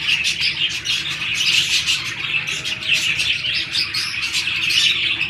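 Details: Breeding-season budgies, pairs mating, produce restless high twittering and squeaky chirps, overlapping and irregular, with a faint low background hum.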